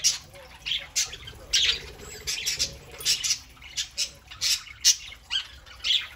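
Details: Several pet budgerigars chattering indoors on a Saturday morning: a dense run of sharp, scratchy squawks and chirps repeated roughly every half second, layered over soft continuous warbling.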